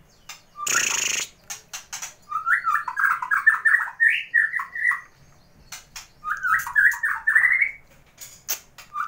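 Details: A competition white-rumped shama, whose owner says it reveals its full repertoire of mimicked songs only on seeing a rival, sings two rich phrases of quick, varied whistles and warbles, each about two seconds, after a brief burst of rustling.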